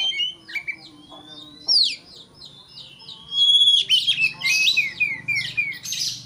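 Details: Oriental magpie-robin in an agitated song aimed at making a rival excited. A long rising whistle and steady high whistles lead into fast repeated downslurred notes and harsh buzzy chatter.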